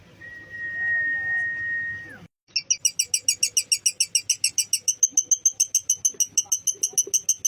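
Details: Lovebird ngekek meant to fire up rival lovebirds: after a steady electronic whistle-like tone and a brief gap, a sustained run of sharp, metallic chattering notes rattles along at roughly three per second.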